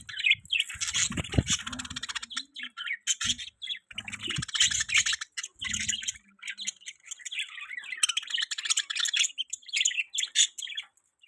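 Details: Budgies kept as pets give a long run of fast, high, chattering chirps and warbles, almost without a break, with a few low knocks early on.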